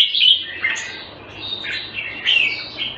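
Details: Caged red-whiskered bulbul in Singapore, Thai-style keeping, February 2018: clear, loud whistled and slurred warbling phrases rising and falling, delivered in three quick bursts over faint low hum.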